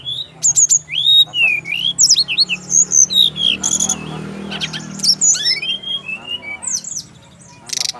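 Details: Male brown-chested jungle flycatcher from Bali singing a fast, varied song of high whistled slurs, rising and falling notes and short trills with almost no pause, over a low steady hum.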